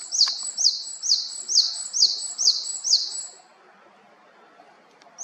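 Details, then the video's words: Japanese tit recorded in Haenam, South Korea, giving a series of seven high, clear repeated notes, each a short sliding whistle, about two per second, then stopping; quiet background. "박새의 다양한 소리"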